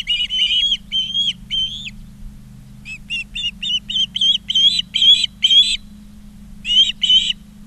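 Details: Ospreys at a Charlo, Montana nest in August 2023, live camera audio: sharp whistled chirps repeated roughly twice a second in runs, a short silent gap between runs, low electrical hum underneath.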